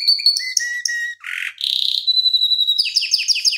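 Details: Canary singing vigorously with long rolling trills, recorded as a tutor recording for other canaries. It opens with high buzzy pulsed notes, then repeated lower whistles, a harsh burst, a long steady whistle and fast descending sweeps.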